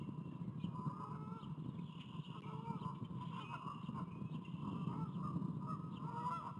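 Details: Growing eaglet at an eagle nest in Davenport, Iowa, on 29 April 2023, being fed by its mother and then refusing to be tucked under her, gives repeated thin, whining calls with upturned inflections over a steady low rumble of background noise.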